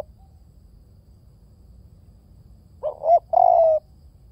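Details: After nearly three seconds of quiet, a spotted dove gives one coo phrase: a short stuttered note rising at its end, then a longer smooth coo sliding slightly down.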